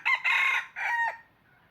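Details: Decoy red junglefowl crowing, a bird used to lure wild junglefowl for trapping; a short, hoarse crow in three bursts: a brief opening note, a long strained middle and a falling final syllable, against a quiet background.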